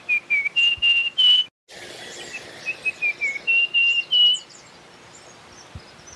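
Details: Russet-crowned warbler singing two phrases back to back, each a run of pure whistled notes that start short and lower and end in drawn-out higher whistles, followed by background quiet with faint chips.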